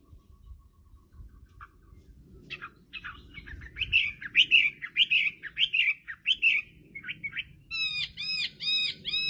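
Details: Chinese hwamei, soft chatter under background rumble, then loud repeated slurred whistles and a quick series of bright ringing chirps near the end.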